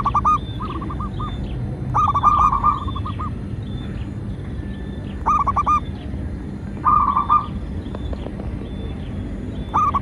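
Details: Zebra dove, local Indonesian bird, singing as a lure to attract and train doves: short bursts of quick, bouncing coo notes every two to three seconds, with a faint higher chirp above some bursts and low steady hum.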